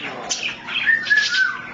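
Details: Pet male African grey parrot that talks and mimics phrases such as "smart" and "peek a boo": a quick squeaky note, then clear whistled tones ending in a long, steady, slightly falling whistle.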